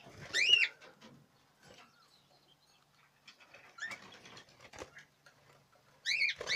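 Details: Budgerigars in the 2017 breeding season, with loud curved chirps at the start and end and soft rustling and scratchy noises between.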